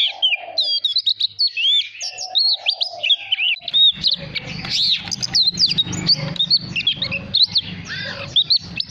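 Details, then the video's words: Oriental magpie-robin singing a stimulating song used to train the voice of young magpie-robins: rich, varied whistled phrases with sharp upslurs and downslurs, steady then busier, a low rumbling hum joining from about four seconds. "Choè than hót kích bổi /luyện giọng chòe cực tốt ép giọng chòe than non"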